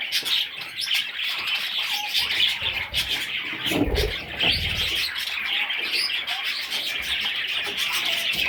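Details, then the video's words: A group of baby parrots keeps up a steady, high, hissing chatter of chirps, interrupted briefly by a low rumbling bump of movement. "Baby Parrots – Sweet Little Chicks!"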